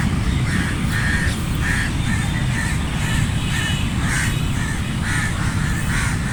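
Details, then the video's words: Crows in a flock giving short harsh caws in loose succession, some paired and overlapping, against continuous low-pitched background rumble. "Flock of Crows cawing sound effect | Crow Caw Sound Effect Naturally"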